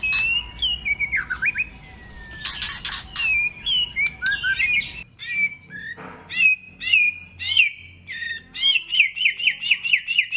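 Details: White-rumped shama giving a lively many-voiced competitive duel song: quick clear whistled phrases, slurred trills and sharp chips, each phrase changing within a second, finishing with a rapid run of repeated rising notes over a faint low hum.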